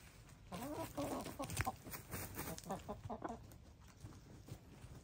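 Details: Gray, lavender, blue and black hens throwing dirt in a dust bath. Soft, rising, warbling calls in the first second, then gentler murmurs fading out, with dirt rustling and scraping underneath throughout.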